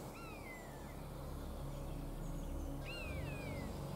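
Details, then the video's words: Common buzzard giving two high, drawn-out mewing cries slurring downward, about three seconds apart, over low rumble; a simple shrill call carrying far, which in breeding season mates exchange in persistent duets. "Pendant la saison de reproduction, la femelle répond au mâle avec le même cri et souvent les deux adultes font des duos persistants."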